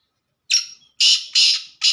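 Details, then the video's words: Black francolin in pure laka style, giving harsh, grating, high-pitched bursts: one short note, then a gap, then three loud rasping notes in quick succession, against a silent background. "Pure Laka Kala Teetar"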